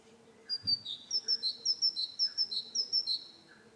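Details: Repetitive song of a great tit (Parus major): a bright high note followed by a slightly lower one, the pair repeated steadily nearly ten times in a ringing, see-saw rhythm.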